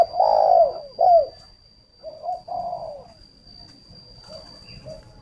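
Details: Decoy spotted dove for luring wild birds, from a breeder in Ba Vi, Hanoi, Vietnam: two loud mellow coos then softer drawn-out coo notes fading away, over a constant high-pitched hum.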